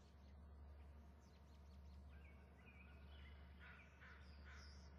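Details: Eagles at a nest with eggs around 6:09, one adult flapping and calling on a close-up camera while its mate calls back. Late in the clip comes a short burst of harsh, chattering notes over steady low hum and faint songbird whistles.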